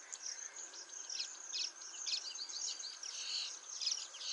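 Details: Rapid high chirping from a male baya weaver at Motisagar pond, Agar Malwa, with notes tumbling in quick clusters, some doubled, over a faint steady hiss.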